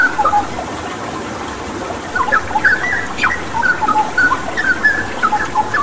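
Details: Straw-headed bulbul (cucak rawa) tutor song: a quiet opening, then rapid clusters of whistled notes and quick downslurs, backed by an even hiss of running water.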